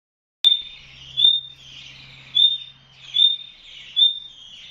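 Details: Female nightingale inside a wire enclosure, calling at her young in the nest: clear high whistled notes, each rising then flattening, repeated roughly every second over a soft hiss, with one sharp click at the start.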